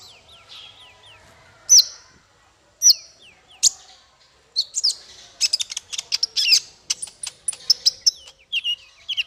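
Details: Tutor song for small fighter birds: a few soft falling whistles and three loud separate chips, then dense high twittering and quick chattering phrases to the end.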